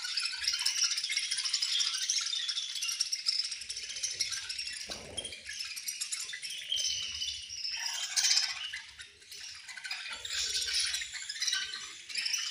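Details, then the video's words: At feeding time, a group of budgies keeps up a steady, high-pitched warbling chatter, with sharper chirps standing out and occasional soft low thuds beneath. "Very Melodious Budgies Chirping Sounds"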